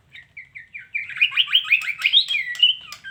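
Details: Female white-rumped shama giving a fast run of short chirpy notes. They start sparse, then speed up into a dense, wavering series of rising and falling twitters that runs for about three seconds.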